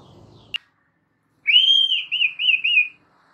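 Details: White-rumped shama in a training recording for caged birds: one sharp click, a pause, then a sustained clear whistle that breaks into a warbling, wavering phrase.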